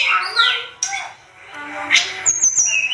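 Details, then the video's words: Sunda robin singing energetically for a songbird tutoring track: a descending whistled slur, a brief pause, then sharp high chips and thin whistled notes near the end. "Masteran terbaik tledekan gunung gacor emosi"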